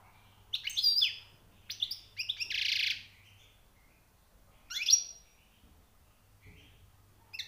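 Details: A newly trapped European goldfinch sings in short bright bursts of twittering notes, with a harsh hissing buzz after the third burst, then a lone sliding high whistle and scattered chirps, backed by a faint hum.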